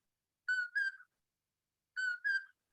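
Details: Common poorwill calling at night on a chaparral hillside in Catalina State Park, Arizona, in spring, with the whole hillside calling: two clear whistled "poor-will" phrases, each rising then dropping, about a second and a half apart.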